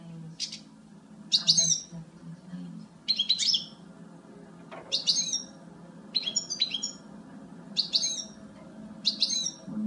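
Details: Female European goldfinch producing a regular series of thin, high, liquid call bursts, about seven in ten seconds, against a quiet low background drone.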